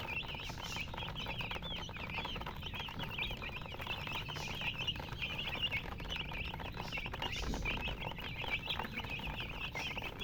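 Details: Baby chicks chirping together, a continuous flock chorus of quick high cheeps, many bending down or up, packed closely with no pauses, over a low background rumble and light pattering.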